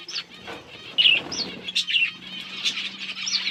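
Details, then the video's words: Budgerigars eating, giving short, sharp, high chirps and squeaky notes at an irregular pace over a faint steady low hum. "Budgies beautiful colors and chirping sounds"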